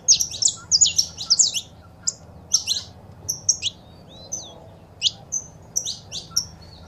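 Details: Saffron finch female calls and male song for stimulating a caged bird: a quick burst of high chirps, then scattered single notes and a few short clusters, faint hum below.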